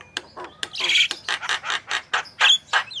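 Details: Energetic Javan myna song meant to prompt other birds to sing, full of harsh, buzzy squawks and scratchy chatter with short whistled accents, bursts following each other irregularly several times a second.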